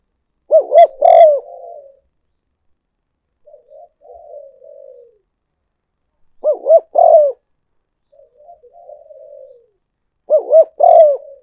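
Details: Spotted dove decoy call for luring: three loud coo phrases about every four seconds, each a doubled note then a longer coo, separated by soft low gurgling coos.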